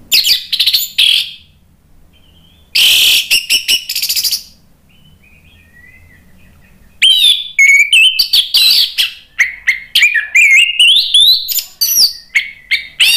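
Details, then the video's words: Orange-headed thrush, a persistently singing bird used to rouse others, giving a few scratchy bursts, then a long, fast, energetic stream of varied whistles, trills and chattering notes that climbs and falls. "ANIS MERAH GACOR memancing EMOSI jadi NYAUT BUNYI NGEPLONG"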